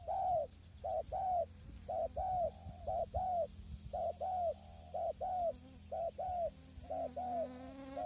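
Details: Spotted dove calling from a trapping tent hide while wind blows and wild birds stay distant: evenly spaced two-note coos, soft and rounded, about one phrase per second over steady low hum, a faint rising tone at the end.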